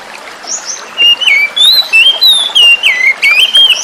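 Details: Forest-caught oriental magpie-robin song used as therapy for birds that went quiet; from the first second a steady chain of loud, clear whistles, each note sliding up or down, delivered quickly and without pause.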